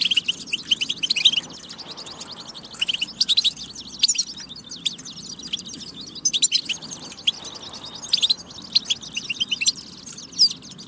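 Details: Goldfinch song played to prompt other goldfinches into singing: dense, tinkling twitter of rapid high notes and buzzy trills, rising in clustered bursts with brief lulls between phrases.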